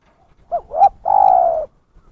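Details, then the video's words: Spotted dove (terkukur) used as a lure call for bird trapping: two short hooked notes, then one long, steady, mellow coo, in a quiet setting. "suara pikat burung terkukur gacor"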